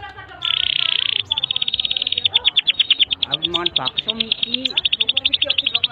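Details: Long continuous canary song for tutoring young birds: a rattling buzz of rapid high pulses, followed by a steady trill of sharp notes with faint lower chirps beneath.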